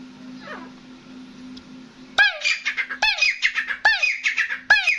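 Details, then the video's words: Grey francolin, known locally as desi teetar, kept as a hunting bird. After two quiet seconds with a steady hum, loud harsh notes sweep downward in quick runs, about seven bursts packed into under three seconds. "Gray Francolin Voice | Dasi Teetar ki Awaz"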